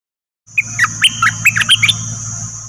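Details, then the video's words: Short burst of dok taeng bird song, a recording played to train young birds and excite them: quick jumbled chirps and whistled slurs over a constant high hiss and low hum. "เสียงนกดอกแตงEp.2 ใช้หัดลูกนก เปิดให้นกคึก!!"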